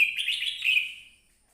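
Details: Red-whiskered bulbul giving one short, bright warbled phrase of quick, slurred chirpy notes that roll together and fade out after about a second. Nothing else is heard.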